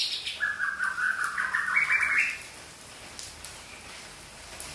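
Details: Young wild white-rumped shama of the Aceh type from the forest delivering one warbling, slightly rising whistled phrase lasting about two seconds, followed by quiet.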